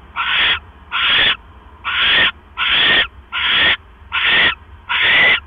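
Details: At a nest on the evening of October 12, 2015, around 9:40 PM, an owl delivers a mouse; rasping, noisy hiss bursts sound in a steady run, about seven in five seconds, with a soft background hum.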